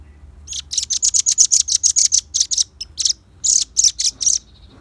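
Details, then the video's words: Velvet-fronted nuthatch, a lively singer, recorded as a lure for wild birds and for training caged birds: loud, sharp, high chirps repeated quickly in an even run of about fifteen notes, a short pause, then several more over a faint low hum. "Suara kicau pancingan burung rambatan paruh merah gacor"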